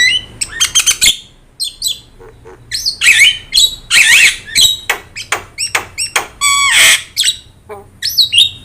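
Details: Singing Javan myna recorded for tutoring other cage birds: a lively mix of grating squawks, clicks and warbled whistles delivered in short bursts separated by brief pauses.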